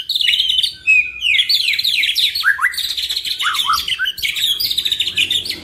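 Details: Two white-rumped shamas, a lively duo with a full repertoire used as a training lure. Rapid, varied song of quick high chirps, trills and downward-sweeping notes, almost unbroken, with several short slurred phrases.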